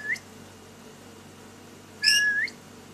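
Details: Lory during daily play indoors: a brief rising whistle, a pause, then a high chirp running into a longer level whistle that rises at the end.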